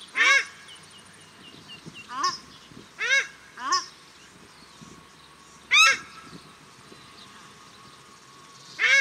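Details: Pair of paradise shelducks, male and female, calling in Cornwall Park, Auckland, New Zealand: six loud nasal honks with rising harmonic sweeps, irregularly spaced over nine seconds, light background murmur and hiss.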